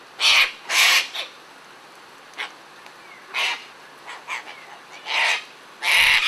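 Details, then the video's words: Sulphur-crested cockatoos out feeding in a playful group give loud grating screeches, two quick ones at the start, scattered softer squawks, then two more loud bursts near the end. "Sulphur Crested Cockatoos Playing"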